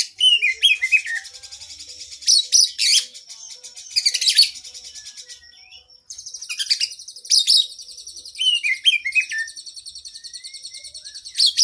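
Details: Loud oriental magpie-robin training song for cage birds, with long fill-in phrases. Bursts of harsh, buzzy chatter alternate with softer steady trilling, with short whistled slurs between them. A brief silence falls midway.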